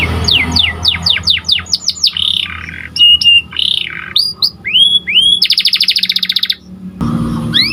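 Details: White panda canary with a varied song: quick series of falling whistles, squeaky twisting notes, upswept whistles and a loud, fast buzzing trill, followed by a short pause and resumed whistling.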